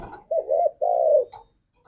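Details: Spotted dove (tekukur), 'ngalas' wild-style singing used as a lure to stir a caged dove to sing: two low, smooth, hollow coos, the second longer and steady, then a faint short note; quiet otherwise.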